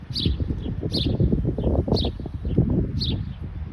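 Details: In Michigan, a house sparrow calls with four bright, high chirps spaced under a second apart, set against a dense low rumble of wind and rustling.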